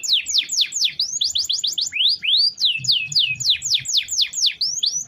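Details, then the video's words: Canary in lively full song, a long roll meant as daily master for other birds; quick descending and rising whistled sweeps repeated in fast series, clear and bright throughout. "Suara Kenari Gacor Ngerol Panjang"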